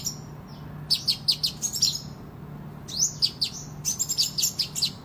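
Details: Sunbird (kolibri ninja) in full, lively song suited to competition and to tutoring other birds: two bursts of sharp, very high chirps and short down-slurred notes with a pause between, over a steady low hum.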